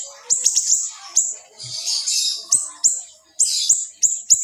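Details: Small siri-siri singing tight, sharp bursts for birds in training: piercing high notes in quick clusters separated by a brief scratchy buzz, with short gaps between groups.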